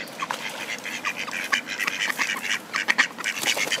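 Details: Male Mallards fighting for a female on a duck pond make loud, dense, raspy quacking, clustered bursts tumbling over one another about twice a second, sharp and uneven throughout.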